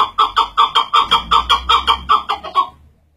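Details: Chukar partridge calling a steady, evenly spaced series of about a dozen harsh chuck notes, several per second, ending and fading into quiet.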